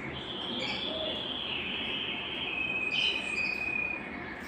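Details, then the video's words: Belgian canary, song played to excite males to sing and prepare females for breeding; a long sustained high roll shifting slightly in pitch, with a sharper piping note near the end, amid hiss. "Canto Para Esquentar Canário Belga e Foguear as Fêmeas"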